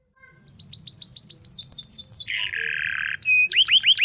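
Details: Busy local canary singing as a lure for learning canaries: a string of rising hooked whistles, a burst of louder curled notes, a coarse buzzy trill, then sharp clipped chips and rising whistles again.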